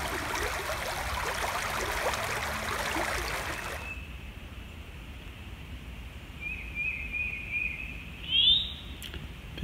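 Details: At sunrise in spring in south-central Indiana, a male Eastern Towhee calls, giving faint, thin notes and then one clearer, sharply rising call near the end, over a creek running full that dominates the first few seconds.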